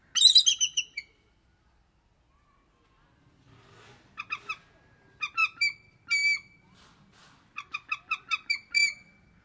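Bald eagles give high, thin chattering calls, quick runs of piping, squeaky notes in short bursts with brief pauses between them.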